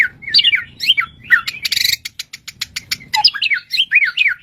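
A bushlark sings a fast, varied run of whistled slurs and chirps, broken by a dry rattling trill of rapid clicks midway.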